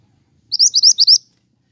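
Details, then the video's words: Pied triller song, used to lure birds and tutor caged songbirds: a brisk series of five sharp, high, upward-sweeping chirps, delivered clearly without background sound. "BURUNG MANTENAN GACOR,COCOK UNTUK PIKAT DAN MASTERAN"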